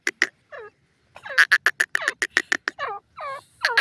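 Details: Irani teetar partridges fighting in cages: clucking pulses in rapid runs mixed with wavering, descending squeaky notes, irregular and overlapping.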